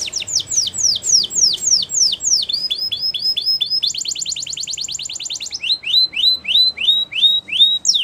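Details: Russian singer canary in a flute-style training song: rapid descending whistled notes, then a shorter repeated phrase, a dense buzzy trill, and rising-then-falling whistles repeated several times a second.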